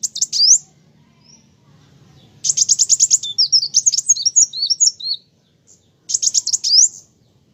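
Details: Olive-backed sunbird singing actively: short high trills and upslurs, then a rapid trill flowing into a jumbled run of squeaky, twittering slurred notes, with silent pauses between phrases.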